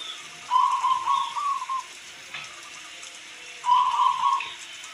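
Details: Zebra dove, the local perkutut, singing with rainfall behind: a long rippling trilled coo broken into segments, then a pause and another similar vibrating phrase three seconds later.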